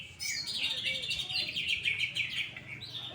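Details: First-place greater green leafbird, described as fully fired up, singing a dense, high, rapid run of chirps and buzzy trills, about three notes a second, with a faint low murmur behind.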